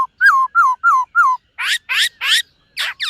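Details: Silver-eared laughingthrush singing in morning voice training: four repeated down-slurred whistled notes, then a run of harsh, buzzy rasping bursts and a final twanging note.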